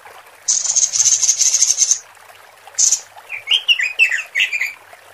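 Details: A female robin calling males, used as a lure: a long, high, buzzy rattle lasting about a second and a half, a shorter repeat, then a lively burst of sweeping, warbled chirps.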